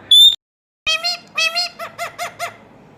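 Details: Talking pet Indian ringneck parakeet: a sharp high whistle, a pause, then a run of harsh, arching squawks, several quick repeated notes toward the end.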